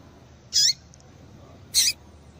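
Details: Calls of a female double-collared seedeater, meant to get males going: two short, piercing, high chirps about a second apart, with a light background hiss between them.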